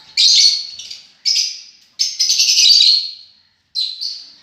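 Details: Lovebirds give loud, grating high screeches, several long rasping calls in a row, then a pause and two shorter shrill notes.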